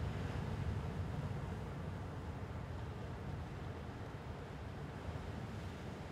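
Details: Low, steady rumble of wind and surf by a gannet colony at Syltefjordstauran, Varanger, Norway, with no animal calls standing out.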